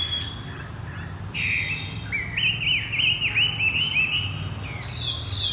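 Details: Bought Chinese hwamei in the 'thắt cổ chai' style, opening with a brief high note, then a lively chain of bouncing whistles that rise and dip rapidly, ending on higher piercing phrases.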